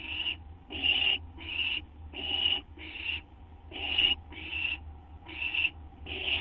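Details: Owls at their nest around midnight on 6 September 2011, the male bringing a treat that the female takes: loud, raspy, hissing screeches, each about half a second long, coming in rapid bursts nearly every second.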